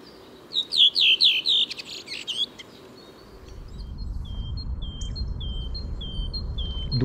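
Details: Redwing song recorded in Tsaritsyno park, Moscow, a year earlier: a loud, easily recognised run of about five descending, fluty whistled notes, then a brief twitter; afterward thin high notes repeat quickly over a low wind rumble.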